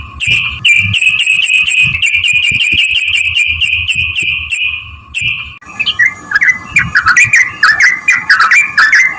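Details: Trucukan lure song to make other trucuk birds sing back: a long fast trill of sharp high notes over background rumble, a pause, then a looser sequence of varied slurred chirps.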